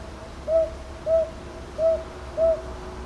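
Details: Northern boobook calling at Ichijoji, Sakyo Ward, Kyoto, Japan, on 22 May 2023, recorded with a TASCAM DR-100MKIII: four short, mellow, slightly rising hoots delivered in two quick pairs over a quiet background.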